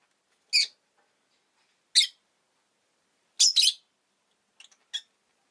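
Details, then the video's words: Two rosy-faced lovebirds huddled together at an entrance give shrill, harsh chirps: five sharp bursts spaced irregularly over about five seconds, the last pair softer and clipped, with quiet between. "Lovebird Chirping Sounds"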